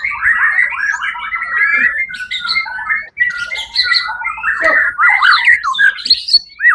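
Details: First-place white-rumped shama singing at the Suara Agung competition event, 1 October 2023: rich jumbled whistles and squeaky notes, a brief break near the middle, then loud mixed phrases resuming.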